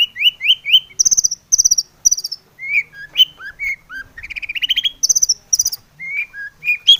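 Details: Long-tailed shrike singing a varied song packed with mimicked phrases, used to provoke other shrikes into singing: quick rising whistled trills, high chattering series and short slurred notes in rapid succession.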